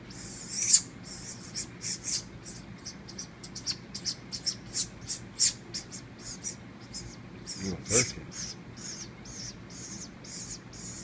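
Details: Baby woodpecker that fell from its nest in a palm tree, hand-raised indoors and fed moist cat food and water from a paint brush: sharp, high squeaky notes repeated every third of a second or so during feeding.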